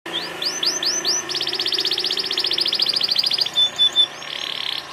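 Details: Canary singing loudly in a lively, full song: a few arched rising-falling notes, then a long fast rattling trill, pure whistled notes and a closing buzzy trill.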